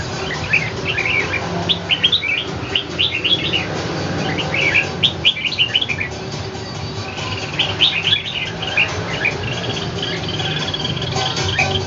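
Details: Caged red-whiskered bulbul in a vocal fight with a wild bird in Ho Chi Minh City; repeated bursts of quick, bright chirps and warbles throughout, over constant low noise.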